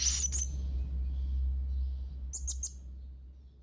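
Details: Young blue-crowned hanging parrot calling actively to rivals: two brief bursts of very high, thin, shrill chirps, one at the start and another about two seconds later, over a steady low hum.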